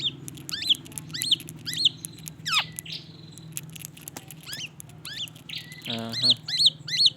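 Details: Black-naped oriole singing white-rumped shama imitations: bright, slurred whistles repeated every half second, with one long falling note, a short rattling buzz near the end and a steady low hum throughout.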